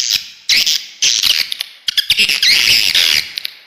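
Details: Lure sound for drawing swiftlets into a bird house, made of raucous squawking twitter bursts broken by short gaps, then one long buzzy chattering phrase.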